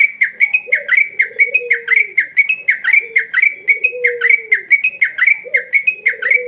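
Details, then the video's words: Sooty-headed bulbul singing steadily: sharp, slightly downslurred chirps repeated about four times a second, with a lower drawn-out cooing sound underneath. "Burung trucuk gacor"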